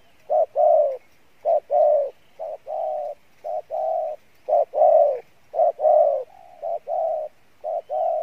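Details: Spotted dove cooing steadily in the Pha Bài Lối style with a good voice. Hollow, soft coos in rhythmic pairs and triplets. Long falling notes alternate with short clipped ones.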